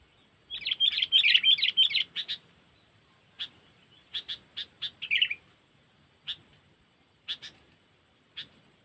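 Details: Cengkeram-style trapping lure of a sooty-headed bulbul from Lampung. A fast run of bright chattering chirps opens, followed by spaced sharp notes, a short warbled phrase, then isolated clicks further apart.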